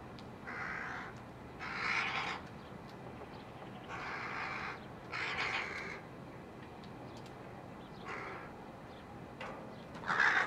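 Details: Rooks with chicks, July 2021, calling repeatedly with coarse, croaking caws every second or two, some doubled, over a steady hiss, ending in a louder call.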